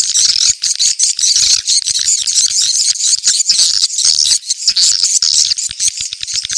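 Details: Swiftlet lure sound of the 'ceklok' type, meant to bring swiftlets to gather at a location. The chorus is an unbroken, very high rasping twitter with dense overlapping clicks and trills and only brief pauses.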